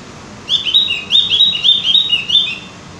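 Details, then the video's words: Javan grey-throated white-eye song used as a lure to prompt caged birds to sing often: a rapid chattering run of sweet, slurred whistled notes bouncing up and down, in two bursts of about a second each. "pancingan burung opior jawa atau cucak gentong agar rajin bunyi"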